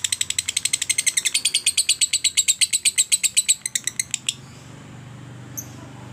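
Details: Lovebird ngetik and ngekek, a trill for stimulating other lovebirds to sing; rapid high chattering pulses for about four seconds that speed up before ending, then low room hum with one faint note.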